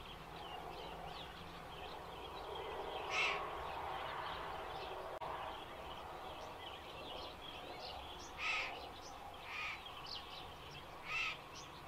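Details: Indochinese roller: a few loud, harsh, grating notes spaced several seconds apart, over a soft background murmur and faint noise.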